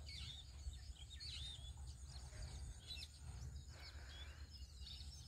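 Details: House sparrow outdoors: faint, short, high chirps in quick bursts during the first second and a half, then sparser notes, over a steady low rumble of background noise.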